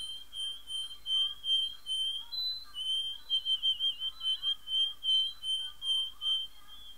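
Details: Domestic canary, a male kept indoors, singing a sustained run of bright whistled trills and rolling notes, pulsing about twice a second with steady high tones throughout.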